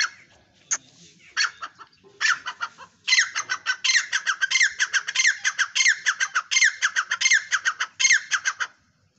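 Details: Grey francolin, called teetar or dhakni teetar, giving a loud harsh call: rapid series of grating, broadband notes, building from scattered bursts into a steady rhythmic run lasting about six seconds before stopping.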